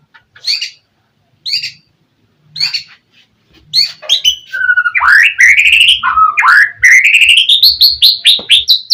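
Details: Singing White-rumped shama, 'gacor' style, played to draw a rival's reply: three short spaced chirps, then a building stream of rapid trills and rising whistles.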